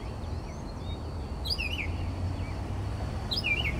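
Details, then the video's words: Mockingbird singing before dawn at 4 am near a Texas bedroom window: two short warbled, twisting phrases about two seconds apart, rising then dipping, against low hum. "Mockingbird Singing Outside My Bedroom Window...at 4am!"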